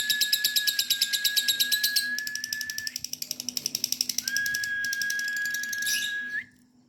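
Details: Female lovebird in extended ngekek chattering: a quick series of high, scratchy chirp pulses that runs for about six seconds, briefly softening midway, then stops abruptly into near silence.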